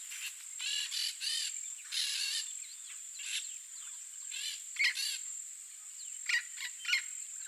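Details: Yellow-faced parrot, a Brazilian endemic, wild in its Cerrado habitat, giving repeated grating, nasal squawks in clusters with brief pauses, plus a few sharper short notes near the end, all against a constant shrill insect hum.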